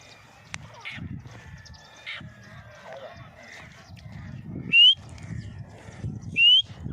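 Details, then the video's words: Grey francolin (teetar) giving two loud, shrill, sharply rising whistled notes about a second and a half apart, over faint background chatter and rustling. "grey francolin voice"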